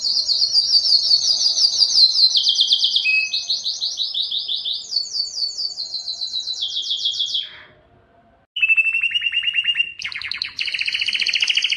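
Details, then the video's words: Long, powerful canary song for attracting mates: high pulsing trills stepping up and down in pitch for seven seconds, a second of silence, then lower rapid rolls and a final buzzy burst. "canary singing is very strong and long to attract females for mating and breeding"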